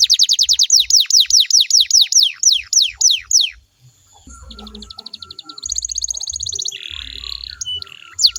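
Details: Canary singing to provoke other canaries into replying: a run of about fifteen sharp descending whistled sweeps, then softer rapid rolled trills and a buzzy tour, over faint low thumping.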